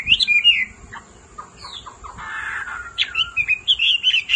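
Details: Hwamei male roused by a calling female: scattered loud whistled slurs and short sharp notes, a buzzy grating passage in the middle, then looping bright whistles to the end.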